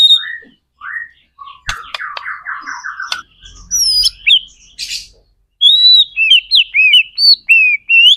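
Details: White-rumped shama song used to set other shamas singing, opening with whistled slurs and a buzzy trill, then a series of bright rising and falling whistles repeated about twice a second.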